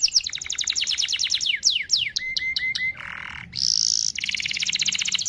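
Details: Canary singing a long 'gacor' roll to coax other canaries into song: fast trilled tours of sliding notes, a few repeated whistles, buzzy stretches, then a sharp dense trill.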